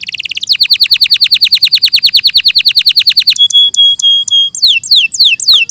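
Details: Canary singing: a rapid even trill of downslurred notes lasting about three seconds, then long level whistles and a few quick rising chirps.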